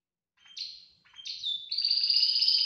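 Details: A Belgian canary, singing a lot outside its cage, gives two bright, high, slurred notes, then breaks into a fast, sustained rolling trill. No other sounds are heard.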